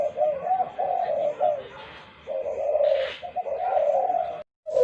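Low, soft cooing from a spotted dove, rolling phrases repeated with brief pauses, with faint room noise in the background.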